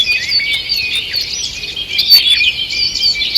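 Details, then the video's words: Morning forest birds on 2 June 2023, a steady wash of high twittering song with a few clearer whistled notes near the end. "Утреннее пение птиц"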